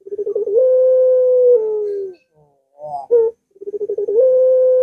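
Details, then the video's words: Barbary dove with a long-voiced song, recorded to coax a silent dove into cooing. A quick rolling stutter swells into a long level coo that slowly drops in pitch. A brief broken note follows, then the stutter and long coo begin again. "Puter Macet Puter Malas Bunyi Langsung Ngaut"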